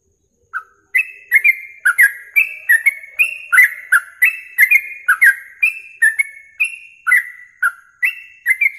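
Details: Rapid-song of a yellow-vented bulbul, used as a masteran for training contest songbirds morning and night: a long, busy run of about twenty clear whistled notes, each sliding downward, tumbling almost without break.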